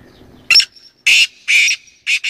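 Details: Black francolin calling: four loud, harsh, grating bursts, each a rasping screech of about a quarter second, spaced roughly half a second apart, with a faint low murmur at the start.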